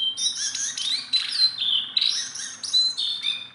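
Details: Very tame Sunda bulbul in continuous song: strong, drawn-out high whistles, some falling in pitch, mixed with rapid chirps and rising in volume in surges.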